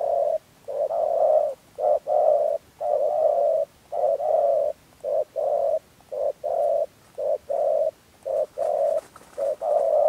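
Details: Trapping lure from Dak Lak, 2022, of a Spotted dove giving thổ rền gù and chỉ gù coos: a steady run of deep, droning coo notes of varying length separated by brief pauses, with faint background hiss.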